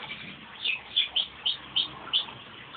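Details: Crossbred male canary, a pet, singing once his owner whistles to start him. Six short, bright, sharp notes spaced about a third of a second apart over a hissing background.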